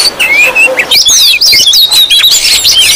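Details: Oriental magpie-robin chatter used to lure and provoke others of its kind; loud, nearly unbroken string of high whistled slurs, rising and falling notes mixed with harsh buzzy chirps.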